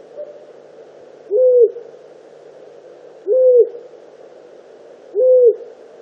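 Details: A long-eared owl (Asio otus) disturbed near its nest gives three short, mid-pitched, arched hoots about two seconds apart over a faint steady background hiss.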